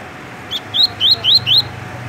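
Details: Double-collared seedeater (coleiro) singing the tui-tui song style, a kept bird in Rio de Janeiro, Brazil: five quick rising slurred whistles, each sweeping upward, in a short burst, with a faint steady hum behind.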